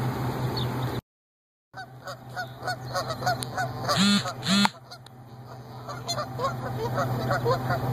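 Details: Goose pair reuniting in a parking lot that serves as their yearly nesting site, the female just back from a week's hospital stay for suspected lead poisoning; a run of nasal, harmonic honks follows a brief gap, over a steady low mechanical hum.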